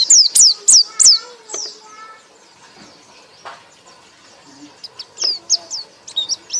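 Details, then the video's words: White-eye (pleci) ngekek song in bursts: three loud, high, downslurred chirps, a quieter stretch with a few soft notes, then renewed quick high chirping at the end. "pleci anda akan ngekek ngekek keras"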